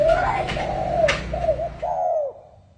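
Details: Spotted dove in the 'pha kim' song style, cooing amid clicks and handling noise, ending on a clear phrase of two short coos and a long descending coo.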